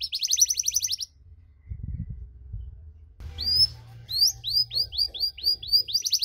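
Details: Canary cengkok song meant to provoke other canaries: a high rapid trill, about two seconds of near silence with low rumbling, then short upswept whistles and quick chirping notes returning to the trill.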